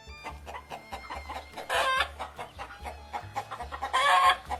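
A hen clucks in short, throaty bursts, with two louder squawking clucks near the middle and end, over a steady music beat.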